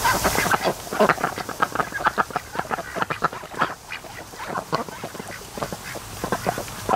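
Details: Lazy ducks at a lake in the afternoon, lying around and sleeping near a creek mouth; rough, nasal quacks repeat about once a second in loose, uneven runs, with murmuring from other birds close by.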